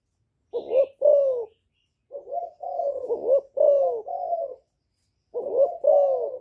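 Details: A young spotted dove gives a calling song of soft, low, hollow coos in short rolling phrases, with bowing coos; the song is meant to provoke other doves.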